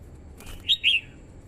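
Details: Red-whiskered bulbul, a female used to stimulate a male and lure wild birds: two short bright warbled notes near the end, the second longer and slurred, over quiet background.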